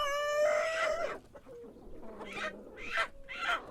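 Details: Rooster in the morning giving the tail of a harmonic crow in the first second, followed by several short, broken clucks and squawks from nearby fowl.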